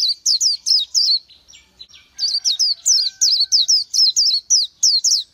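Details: Oriental white-eye producing quick, bright, thin whistles in a lively repeated run, a short break after the first second, then a steady stream to the end.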